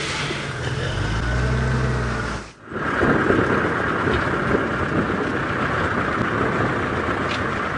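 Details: Loud vehicle engine and rushing noise during a sunrise safari drive, with one brief drop in level midway and no animal calls.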